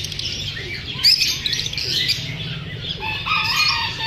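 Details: Lovebirds feeling unsafe from filming give sharp chirps and squeaky calls, with a sudden loud squawk near the start and wing flutters amid the flock chatter.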